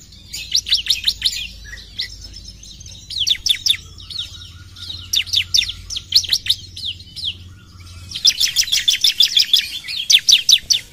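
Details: Bar-winged prinia (ciblek) song of rapid, high, thin chips delivered in short bursts separated by pauses, ending in a dense, fast chattering run; faint low hum underneath.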